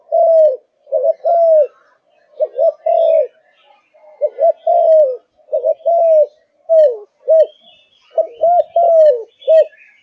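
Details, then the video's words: Cooing song of a kept Malaysian spotted dove in strong form: paired short coos leading into a longer, arched mellow note, phrases repeating about every second and a half, light chirping faintly behind. "Cu Gáy Malaysia Căng Lửa, Chơi Từ Sáng Tới Tối"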